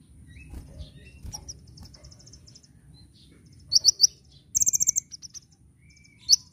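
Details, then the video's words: Kolibri ninja sunbird song meant for tutoring caged birds: after a quiet start with scattered faint chirps, short volleys of sharp high notes burst out, one run of about seven quick notes, then a lone high chip. "Masteran Burung Kolibri Ninja (KONIN) Gacor Nyecret Nembak"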